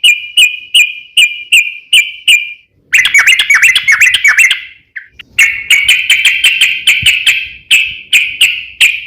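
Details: Sooty-headed bulbul song used to make other bulbuls respond: sharp clipped chips repeated quickly, then a dense buzzy chattering burst, a short gap, and more rapid chips.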